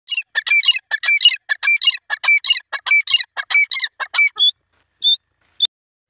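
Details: Grey francolin, known locally as teetar, calling in a fast series of loud, harsh, squeaky notes at about 1.5 per second, ending with a few spaced single notes.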